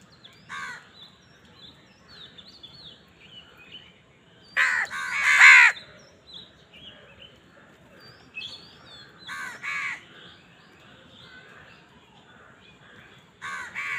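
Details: Crows squabbling over food give scattered harsh caws, with a loud, dense cluster of overlapping caws midway. Soft twittering of other birds fills the gaps.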